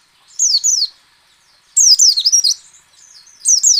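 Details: White-eye singing ngecal, ngalas and nembak phrases meant to coax other white-eyes into song: three bright bursts of high, quickly descending whistled notes strung tightly together, with brief gaps between them.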